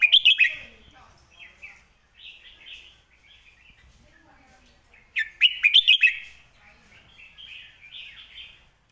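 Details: Red-whiskered bulbul repeating its clear master song, used to tutor birds: two bursts of bright, chirping whistled notes about five seconds apart, with softer gurgling warbles between them.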